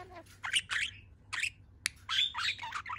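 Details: Pet budgerigar standing on one leg in a good mood, chattering indoors: a quick run of scratchy, squawky syllables and short chirps with brief pauses, some notes clicking sharply.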